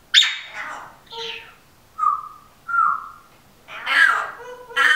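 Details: A Timneh African grey parrot (Psittacus timneh) talks in short, speech-like phrases mixed with clear whistles, about six bursts in five seconds; a dog snores in the background.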